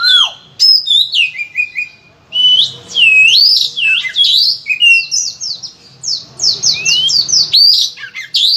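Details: Loud gacor Oriental magpie-robin, song full of fillers, played to prompt other magpie-robins to sing: a downward slur opens, then rapid rising upslurs and a burst of repeated falling whistles.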